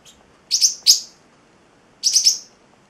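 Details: Young male Celestial parrotlet, eight weeks old, kept as a pet indoors, giving short high chirps: a paired burst of two, a pause of about a second, then a quick triple chirp, on a quiet background.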